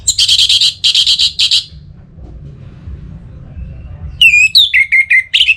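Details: Anis merah, or orange-headed thrush, caged in north Bali and aroused to call against a rival. Four harsh, buzzy rasping bursts come first, then after a pause a run of clear whistled slurs dropping in pitch.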